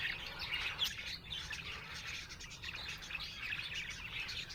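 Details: Budgerigars, described as happy, chirping in a dense, continuous chatter of high twittering notes, several birds overlapping with no clear pauses, over a steady low background hum.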